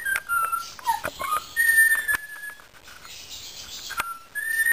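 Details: Indian ringneck parakeet whistling indoors: a string of clear tonal whistles, some level, some dipping and rising, a longer steady note near the middle, then a pause before a final short rising whistle, with faint clicks behind.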